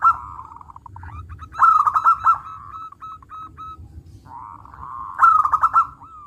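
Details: Loud song of a local zebra dove: a softer purring roll leads into two strong, vibrating phrases of rapidly pulsed coos, each trailing off into a level, sustained rolling tone, then a pause before the next phrase.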